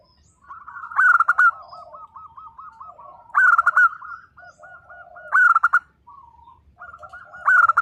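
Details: Singing local zebra doves: four loud phrases, each a harsh ringing opening burst followed by a steady string of short looping coos, repeated about every two seconds. Fainter doves murmur between them.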